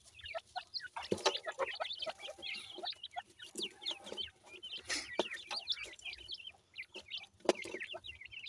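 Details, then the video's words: Chicks of the teetar francolin peeping nonstop, many thin, high notes jumping up and down in pitch, crowded and overlapping, with a few sharp clicks or knocks. "teetar bird chicks ki sound"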